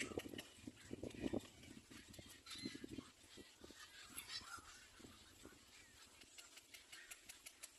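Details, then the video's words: Little black cormorant standing still and calling: a run of low, guttural, grunting croaks in quick pulses during the first three seconds, then sparser softer grunts, over steady high chattering and ticking from other birds. "Little black cormorant bird still standing talking"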